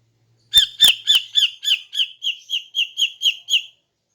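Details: Female greater green leafbird in morning song meant to lure males: about twelve loud, crisp high chirps in an even rhythm, slightly slowing and softening toward the end.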